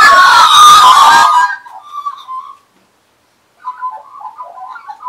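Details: Several Australian magpies perched on a person in 2015 sing at close quarters: a loud, raw, scratchy burst first, then a soft low warble, a second of silence, and a quiet bubbling warble again.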